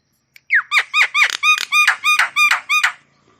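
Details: Javan myna song, used to get stressed or silent mynas singing: a tight series of about ten loud, harmonic, down-slurred squealing notes, evenly repeated over three seconds.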